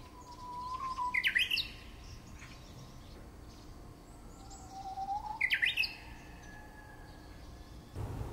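A bush warbler gives a long, low held whistle that ends in a quick, bright, tumbling flourish. The phrase comes twice, about four seconds apart, over a quiet outdoor background.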